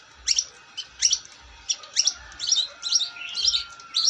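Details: Energetic long-tailed shrike song made of repeated sharp, high chip-like notes about every half second, becoming a denser scratchy chatter toward the end, with a faint steady whistle-like tone underneath.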